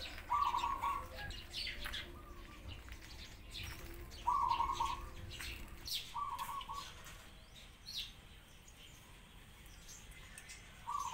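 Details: Pigeons crying in a sparrow-filled setting: several rough, buzzing half-second bursts in the first seven seconds, a last one at the end, and a steady chatter of sparrow chirps throughout.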